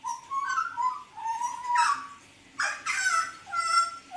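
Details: Mottled Hooded butcherbird singing energetically, recorded 29 October 2019: low wavering whistles held almost level, then two sudden harsh buzzy bursts that each run into a clear whistled note.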